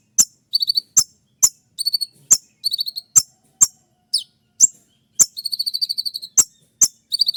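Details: Konin trotol song in the sharp "shot" style, played at dawn to train other birds: loud, sharp clicks alternating with rapid high chattering trills of repeated notes, evenly spaced across the clip.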